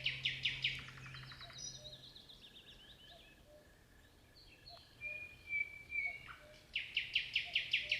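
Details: Common nightingale singing: rapid pulsed bursts of repeated high notes, then fast dry trills and a series of short varied whistles, one long pure whistled note, and a closing run of loud rhythmic repeated notes.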